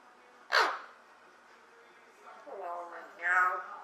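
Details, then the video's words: Captive female Eclectus parrot, first kept at two and a half years old, whose deep voice has risen slightly while living with an all-female household; a sudden harsh squawk, a quiet pause, then a short rising speech-like phrase of voiced syllables. "Talking Eclectus Parrot"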